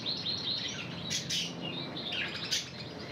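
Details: Red intensive canary trained in Spanish Timbrado song: short bright warbled phrases and trills, with two sharp high bursts near the middle and end, over a light background hiss.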